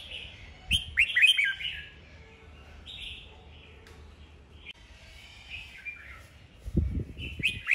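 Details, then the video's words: Red-whiskered bulbuls singing in a duel meant to fire up wild-caught birds: bright chirped whistle phrases, rising and falling in rapid clusters, then quieter scattered notes and a closing burst, over faint low rumble. "Chào mào hót đấu"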